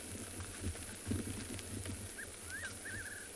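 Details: Fiery-necked nightjar (Caprimulgus pectoralis) sings on a cool day in a South African game reserve, a short whistled note then a rising-falling slurred whistle and quick tremulous warble, likened to "hello, good looking", over a steady low rumble.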